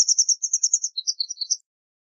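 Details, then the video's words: Rapid, bright twittering from a white wagtail, a steady chain of high notes that breaks into lower, choppier chirps toward the end, with no other sounds. "White Wagtail Song! White Wagtail Call! White Wagtail Sound- Lavandera Blanca Canto"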